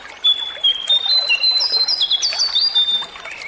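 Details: Sunda laughingthrush song for coaxing a caged bird to sing: bright sustained whistles step up and down in pitch over about three seconds, mixed with quick bursts of chatter, loud and clear against a quiet background.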